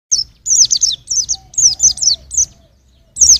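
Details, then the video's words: White-eye song for training songbirds: rapid high twittering phrases of descending slurred notes, bursts separated by short pauses, with a faint low hum beneath. "Kicau Pleci untuk Masteran"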